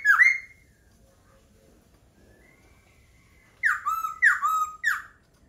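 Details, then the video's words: Laughingthrush song: a loud downslurred whistle, a long near-silent pause with a thin faint tone, then three sharp, ringing whistles, each dropping quickly in pitch. "Khướu hót hay."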